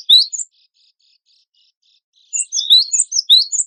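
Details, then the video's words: Energetic cinereous tit song from a contest-bird training recording: a short burst of high chirps, a quiet stretch of faint twittering, then a dense, lively run of sharp, rising and falling notes. "GELATIK BATU WINGKO GACOR"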